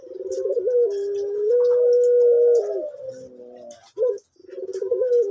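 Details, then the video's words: Orange male collared dove, pelung type with a soft voice, kept at a bird farm: a wavering start leads into a long steady coo held nearly two seconds, then short repeated coos. "Puter Pelung Orange Jantan Suara Empuk"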